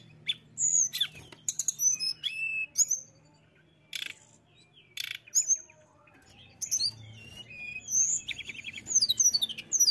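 Mountain tailorbird song: high, thin whistled notes, some rising and some falling, in quick bursts with short trills between pauses. No other sounds stand out.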